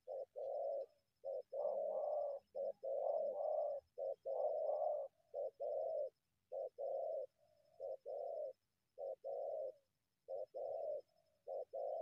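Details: Wild spotted dove drawn from bushes to a decoy, cooing continuously in husky short-long phrases; in the early part a second overlapping voice thickens the coos, later the phrases come singly with brief pauses.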